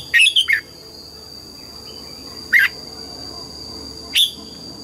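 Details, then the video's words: Morning song of a red-whiskered bulbul in double-note wild style: a quick three-note whistled phrase, then two isolated clear notes spaced about one and a half seconds apart, against a constant faint high-pitched hum. "chào mào hót sáng, ép chào mào hót âm kép già rừng"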